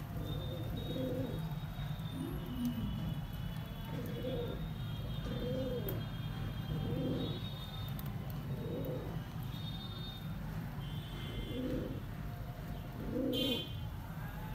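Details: Pigeons kept as a breeding pair, a bird market setting, cooing low and throaty in repeated short phrases roughly every one to one and a half seconds, with a constant low hum and occasional thin chirps of other birds.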